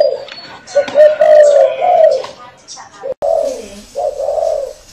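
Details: Spotted dove from a customer in Saigon giving loud, low, throaty coos in short bursts, with people talking nearby and a brief cut partway through.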